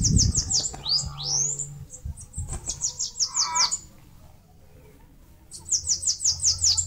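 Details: Singing bananaquit in Brazil's Northeast, building a nest on a mandacaru: quick, shrill, repeated high notes in runs, a swooping lower phrase mid-song, a quiet pause, then another rapid high series; faint low hum underneath.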